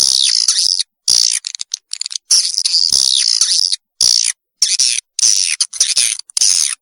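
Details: Lure sound from 2021 for drawing young swiftlets into a new building: repeated bursts of shrill, buzzy twittering chatter, each about a second long with brief gaps between them, plus scattered short clicks.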